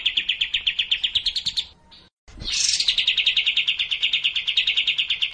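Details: Racin-style song of the sooty-headed bulbul, meant to get a quiet bird singing: a rapid trill, a brief silence, then a harsh rising burst and a long even trill.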